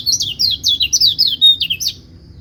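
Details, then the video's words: White-eye in song, a sound said to make other white-eyes answer: about a dozen bright, downslurred high whistles delivered in a fast, bouncy burst, then stopping. "Pleci lain pasti ikut bunyi"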